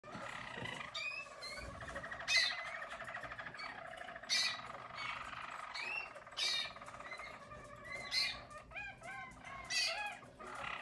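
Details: Yellow Harz German Roller canary from 2022 singing; continuous rolling trills with looping warbled phrases and bright high notes, with some broadband clicks.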